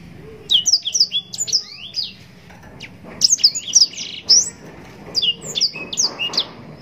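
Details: Yellow-rumped serin (blackthroat) singing long, fancy, unbroken song for tutoring other birds: bursts of rapid high descending whistles separated by short gaps, the bursts repeating three times.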